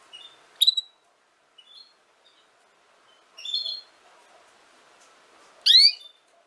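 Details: Female canary twittering with short high chirps and whistled notes, followed by a single loud rising harmonic note near the end.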